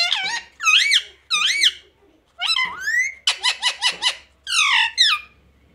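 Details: Indoor pet rose-ringed parakeet that says papa and mummy, uttering rapid nasal, wavering word-like syllables in bursts, including a fast run of four or five squeaky notes, inside a small room.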